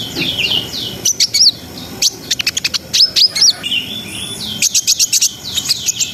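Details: Brown-throated sunbird in full vigorous song, ngriwik ngerol style: rapid runs of thin, very high chirps alternate with slurred whistled notes and brief twittering trills, delivered about four notes a second with uneven pauses.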